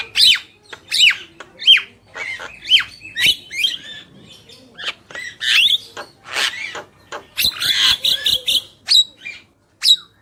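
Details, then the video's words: Male and female black-winged mynas giving repeated whistled upslurs with harsh overtones, a scratchy chatter, then a rapid buzzy trill near the end. "Jalak Kebo Gacor | Burung Jantan dan Betina"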